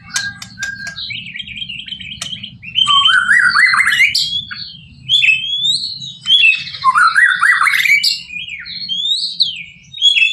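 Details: White-rumped shama, locally murai batu, singing full-isian masteran: opening ticks and whistles, then loud bursts of rising buzzy notes and varied warbled phrases separated by short pauses; faint low hum.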